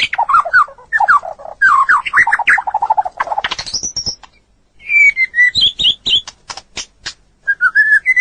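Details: White-rumped shama song used as a long training recording for other birds: rapid varied phrases of descending whistled notes and chatter, a high rising whistle, then clear whistles between sharp broadband clicks.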